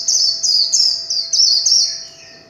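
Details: A warbling white-eye gives a short burst of líu chòe song, five or six loud high slurred notes in quick succession that fade out at the end.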